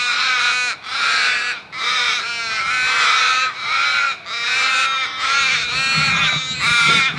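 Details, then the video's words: Flock of crows cawing loudly: harsh, rasping calls overlapping almost without break, about one caw per second, with brief dips between bursts. "Flock of Crows Sound Loud"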